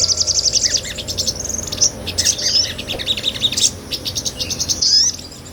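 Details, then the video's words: Ngobra singing from a sunbird, a small nectar eater kept to train cage songbirds: a dense stream of high, quick chattering notes and short whistled phrases, almost without pause. "MASTERAN SOGON NGOBRA"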